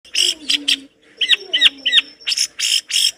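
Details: Long-tailed shrike giving a lively training song, described as full of rich mimicked fill-in phrases: three harsh buzzy notes, a pause, three upward-hooked whistled chirps, then three more buzzy bursts, with a steady high thin tone behind.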